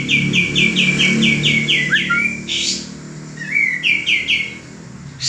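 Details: Male common iora, a caged bird whose song is used to train other cage birds, singing a fast series of bright, slurred notes, each falling sharply. A lower, rising whistle comes midway before the quick repeated notes resume.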